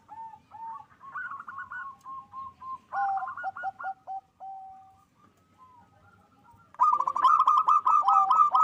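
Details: Loud, energetic song of a local zebra dove, used to boost mating drive: softer spaced coos and short trills, then a sudden strong burst of fast, even pulsed cooing notes repeated in a rolling series.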